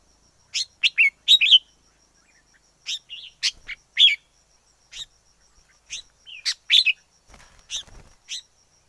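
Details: Wild red-whiskered bulbul in lively song, fast chirpy notes in short runs and clusters, with a faint rustle near the end.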